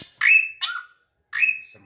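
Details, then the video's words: A captive black drongo, urged by its owner to sing, gives loud, slurred whistles: a long steady note, a short falling phrase, then another long whistle, with pauses between. It reportedly grows bolder the closer it is approached. "BURUNG SRIGUNTING SUARANYA MENGGEMAH"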